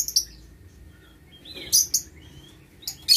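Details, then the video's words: Lovebirds kept in an aviary for breeding, 6 November 2022: sharp, piercing chirps in brief bursts, with quieter thin squeaks between. Two loud calls fall close together in the middle and another comes at the end. "Aviary Lovebird"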